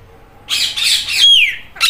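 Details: Green Indian ringneck parrot talking, imitating a cat's meow: after a quiet start, harsh squawky bursts are followed by a clear falling, whining glide like a drawn-out meow, then a short final squawk.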